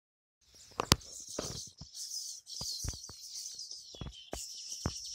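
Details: Baya weavers at a tree with more than fifty nests, in the monsoon nest-building season: continuous high, buzzy chattering over sharp irregular clicks and taps.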